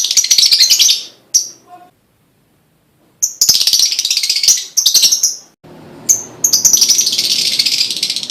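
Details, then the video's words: Lovebird singing to spur other lovebirds, long bursts of shrill, rapid chattering notes separated by a brief quiet gap, with a faint low hum in the final seconds. "full bunyi pancingan love bird"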